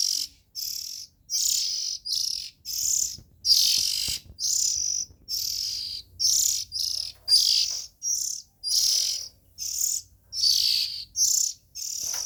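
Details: Young Oriental magpie-robins in the nest keep up a steady series of about fourteen harsh, hissing bursts over twelve seconds, each under a second long, high-pitched and breathy, with short gaps between them.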